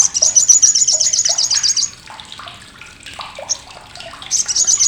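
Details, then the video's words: Loud olive-backed sunbird chatter, used as a tutor for contest birds: nearly two seconds of fast, high, grating notes, quieter mixed chirps, then the rattling resumes briefly at the end. "CRECETAN SOGOK ONTONG"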